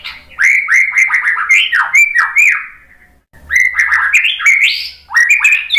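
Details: White-rumped shama singing to stir other shamas into replying: rapid series of loud downward-sweeping whistled notes in two bursts separated by a brief silence, the second burst climbing higher toward the end.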